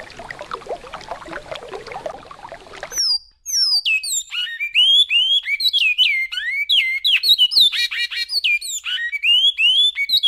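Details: Great-billed seed finch singing the classic Goiás-style song: a rich run of clear, sweeping whistled notes, many sliding downward, following a few seconds of rushing river water.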